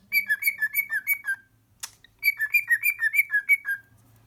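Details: A happy male pet cockatiel sings two quick runs of clear, slurred whistles, broken by a single sharp click from a crimp tool; the bird seems to imitate the clicking before it happens.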